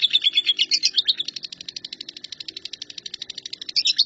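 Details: Lovebird singing 'nyambung kuntilanak', the recording serving as shrike tutor material: a burst of loud, jumbled squeaky notes opens, easing into a softer, steady rapid chatter before louder scratchy notes return at the close.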